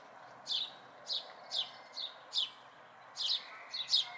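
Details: House sparrow fledglings in May 2020 give bright, slightly descending chirps, about eight in four seconds, irregularly spaced, over a soft steady background hiss.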